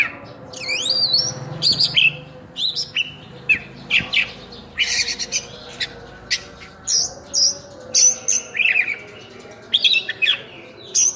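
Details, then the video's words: Energetic kacer song with full isian fill-ins, opening with a looping upward whistle, then sharp high notes, buzzy bursts and clear whistles spaced roughly every half second to a second. "Kacer Full Isian"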